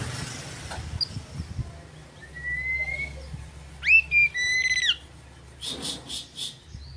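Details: Oriental magpie-robin (kacer) in full song, used as a lure to provoke rival birds: a thin high whistle, then clear sliding whistled notes, followed by short buzzy bursts, over a low steady hum.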